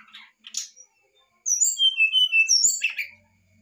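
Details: Brown-chested jungle flycatcher in an emotional outburst, sung to provoke a reply: a few harsh chips, a pause, then a quick flowing sequence of sweet high whistles ending in a rough, buzzy flourish.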